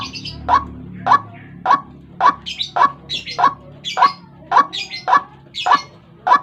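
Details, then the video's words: Harsh, evenly spaced croaks of a White-breasted waterhen, played as a morning lure to draw birds close, repeated about every half second, with high twittering from smaller birds between the notes. "Suara pikat burung ruak ruak"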